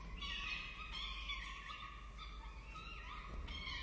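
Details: Hungry peregrine falcon chicks at a wild nest in Orange, Australia, during feeding on 23 October 2023: strained, screechy cries, some sliding upward, sounding almost without break.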